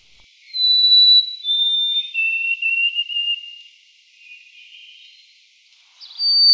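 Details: White-throated sparrow song: clear, pure whistles that step down from a high opening note to long, slightly wavering lower tones, followed by a short gap and a final high whistle.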